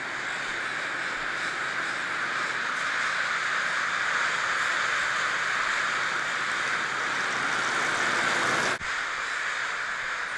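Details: Crows roosting in a commercial poplar orchard in Snohomish, later destroyed by an ice storm and heavy winds; a dense, continuous wall of overlapping cawing from many birds with no gaps, briefly broken by a sharp dropout near the end.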